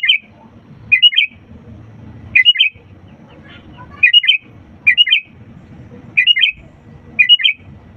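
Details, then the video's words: Sooty-headed bulbul singing actively as a lure for reluctant birds: lively bubbly phrases of two or three fast whistled notes, repeated about every second, over a faint low background hum. "pancingan kutilang gacor untuk burung malas' bunyi"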